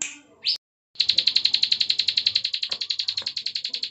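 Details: Bar-winged prinia (ciblek sawah) giving its clicking "klik" song: after a brief rising note and a short silence, a fast even run of dry high clicks, about eight per second, continuing without pause.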